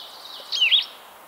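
A Blue-headed vireo gives one sweet, slurred song phrase, about a third of a second long, dipping and then rising, over a steady background hiss.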